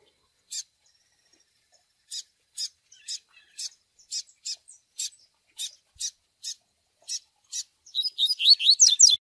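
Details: Double-collared seedeater chick begging call for training a male, Tui Tui Zel Zel style: short high peeps repeated about every half second, ending in a rapid cluster of rising whistled notes.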